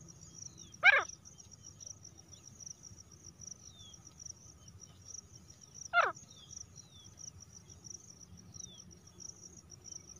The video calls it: मादा तीतर की आवाज female teetar sounds grey francolin sounds